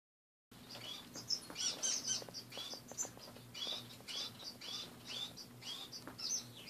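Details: Several caged finches in the morning, their cage left bare with most perches and greenery removed, give a steady stream of high, short chirps and tweets, some overlapping, over a faint low electrical hum.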